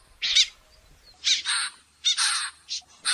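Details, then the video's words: Common snipe at the end of the season giving harsh, rasping, scratchy calls. Single and paired notes are spaced irregularly, roughly one each second, in a quiet background. "TIẾNG CHIM DẼ GIUN CUỐI VỤ"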